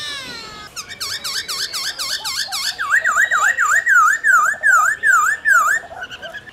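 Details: Laughingthrush in 'forest voice' song: a few high squeaks, then a long run of crisp, V-shaped whistled notes, about three per second, growing louder and more ringing toward the end.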